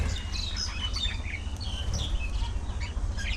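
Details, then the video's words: Social budgerigar colony with quick, high twittering chirps and bright warbled notes crowding together from several birds, backed by a continuous low hum. "Budgie Parrot Colony! A Colorful & Chirpy Paradise!"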